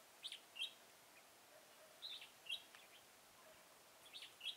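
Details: Red-whiskered bulbul during bird trapping at Chùa Hương, Mỹ Đức, on 11 November 2017: short, bright, warbled phrases in three spaced bursts, each a quick rising-and-falling run of notes, over a quiet, faint background hiss.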